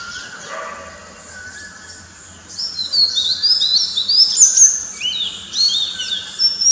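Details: Oriental magpie-robin (Copsychus saularis) singing in the morning among a bird chorus: quiet at first, then a rich run of high, varied whistled phrases with quick rising and falling slurs, and softer lower calls from other birds.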